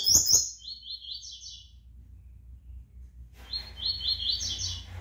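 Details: Brown-plumaged (pardo) double-collared seedeater singing: a sharp high burst, then rapid buzzy trilled phrases held around a high pitch, a pause, and another run of warbled trills. Faint low hum underneath.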